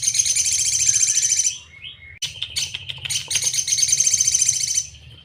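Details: Crimson sunbird song from a 'sejalur' master recording meant to be easy for caged birds to learn: dense, very high, buzzy rapid trill, a short pause with scattered chips, then another long sizzling trill.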